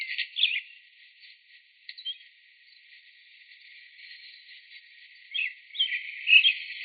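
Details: An American Robin gives its primary rich, rolling cheerily-cheer-up song, given mostly by males and often heard early in the morning: short whistled phrases, then a rolling run of carols near the end.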